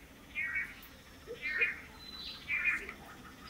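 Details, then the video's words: Long-tailed manakin males displaying to a female on a lek in Costa Rica, several pairs taking turns in courtship; three buzzy, nasal notes roughly one second apart, each swelling then fading, over quiet forest background. "The Amazing Long-tailed Manakin Courtship Display"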